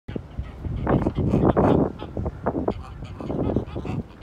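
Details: Purebred Tula, Embden and Kholmogory domestic geese hatched in 2018, kept on a breeding farm for tribal birds, recorded 12 September 2018; dense overlapping nasal honks and cackles build to a loud burst midway, then continue in shorter bouts.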